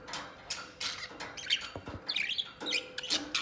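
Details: Pet white budgerigar, shown preening, singing and playing with a companion, gives bright chirps and short warbled notes around mid-high pitch in irregular bursts, with soft rustling between notes.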